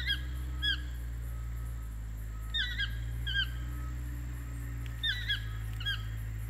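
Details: Toucan calling in Ojochal, Costa Rica: short croaking, yelping notes in pairs and small clusters, each a few seconds apart, over a steady low hum.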